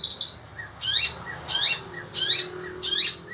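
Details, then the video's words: Shrike of the sembur variety, a caged Indonesian songbird, calling loudly through fierce heat with rasping high bursts, each with a faint lower slur, spaced evenly roughly every two-thirds of a second. "burung cendet ini tetap MELOCOR dor"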